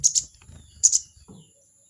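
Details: Crested jay challenging a rival with a 'crecet crecet' call: two quick pairs of sharp, high, scratchy notes about 0.8 seconds apart, over low rumbling handling noise and a brief murmur.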